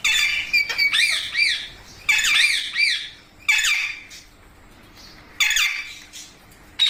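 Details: Parrot repeating loud, wavering harmonic squawks in four bursts, roughly one every one to one and a half seconds, each call bending up and down in pitch, with quiet pauses between them.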